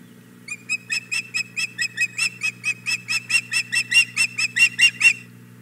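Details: Hog Island Boathouse osprey female, 4 May 2017 around nine in the morning, calling for the fish the male carried in. Steady train of about twenty whistled chirps, roughly three per second, building slightly in strength, above a faint low drone.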